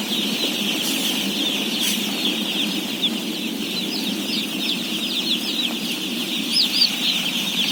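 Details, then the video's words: During feeding of some 17,000 day-old chicks, high thin cheeps pour out nonstop, a few louder single peeps standing out over the massed chorus and a low continuous hum. "BABY CHICKEN SOUNDS"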